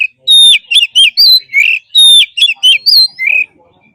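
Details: Oriental magpie-robin in forest-style song for daily caged-bird training: one short phrase of sliding whistles and chips repeated twice, loud, then silence.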